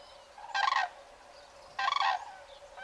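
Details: Common crane in a wintering flock of adults and juveniles in the Alentejo, Portugal (November–February), gives two loud, rolling, slightly rattling trumpet calls about a second apart, another beginning at the end, over a quiet background.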